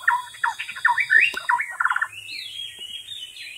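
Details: White-rumped shama in the wild pouring out a varied song: rapid jumbled whistles and short trills, then a long clear rising-and-falling whistle, with constant high-pitched buzzing drone and a faint low hum behind.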